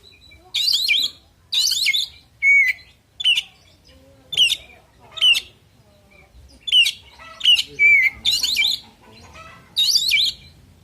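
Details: Oriental magpie-robin giving a fighting-style song full of fill phrases. About ten short bursts arrive roughly every second, mixing clear whistled slurs with harsh, buzzy, scratchy notes. The background stays quiet between phrases.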